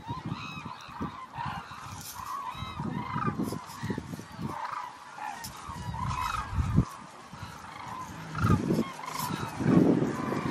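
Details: Hooded cranes in a calling flock: scattered honking, trumpet-like calls rising and falling in intensity, mixed with loud low-pitched thumps and rumbling noise throughout.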